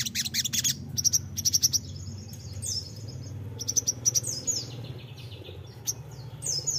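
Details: Crimson sunbird song used as a lure to draw a quick reply from untrained birds: bursts of thin, high, rapid trills and sharp ticks, with brief gaps between phrases, over a low steady hum.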